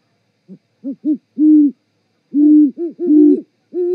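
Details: Great horned owl pair mating duet at the Charlo, Montana osprey nest, 18:12 on 7 February 2018, live cam recording: soft short hoots build to long, deep hoots, with the two voices overlapping in the second half.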